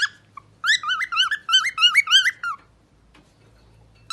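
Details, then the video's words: Parrot singing indoors with a quick string of curling whistled notes about five per second, then near silence with a low hum before a final bright note. "Pappagallo canta bellissimo )) Professional singer - parrot Shu Shu. Singing parrot"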